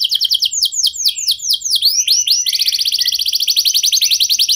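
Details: Lure song of a canary to draw responses from other canaries: swooping descending whistles repeated in quick succession, switching to a very fast, dense, buzzy rattle-like trill.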